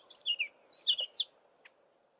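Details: Brief phrase from a marsh warbler mimicking southern African birds in Eastern Cape bush in March before northward migration: a few quick descending high chirps in two clusters, followed by a single faint note.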